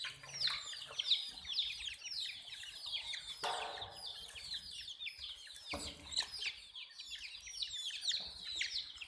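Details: A crowd of hen chicks keeps up a dense wash of high, sliding peeps, with occasional broadband rustling bursts from movement around the fourth and sixth seconds.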